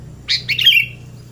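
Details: Sooty-headed bulbul, sung as therapy for a bird that quit singing: one loud, bright, bubbly phrase of two quick chattering notes sliding into a short whistled tail, over a faint low hum.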